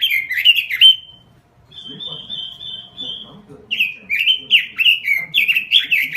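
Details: Energetic (gacor) robin: quick warbled whistles, a brief pause, a level thin whistle held about a second and a half, then another rapid slurred phrase.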